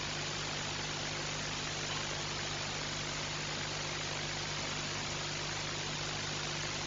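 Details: Continuous hiss and a faint engine-like hum run throughout, with no animal voice present.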